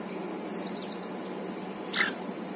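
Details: House sparrow gives two brief, bright chirps about a second and a half apart, the first a quick high downward slur, the second a short lower note, over steady hiss; possibly feeding another sparrow.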